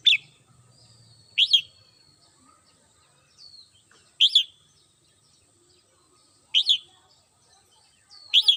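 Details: Morning song of a red-whiskered bulbul kept at home: loud, short downslurred double notes roughly every two to three seconds, with thin faint whistles between them and some light background noise.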